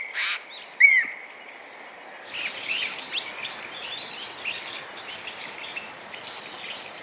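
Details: Eurasian jay, a crow-family bird and skilled mimic with many kinds of calls, heard close by: one short, harsh, rasping screech opens, then a brief downslurred whistle, followed by several seconds of faint twittering from small birds.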